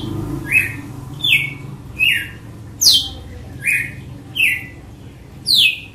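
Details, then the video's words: Red-cowled cardinal giving the açoite song: a rapid series of seven bright, steeply falling whistled notes, evenly spaced under a second apart, some starting higher than others, over quiet low hum. "AÇOITE DE GALO DE CAMPINA"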